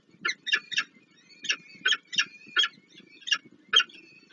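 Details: Peregrine falcon nest in Warsaw, Poland, late April 2024, with the male bringing food and the female feeding small chicks: rasping calls repeated in uneven pulses over a thin, wavering, high whistle and soft rustling.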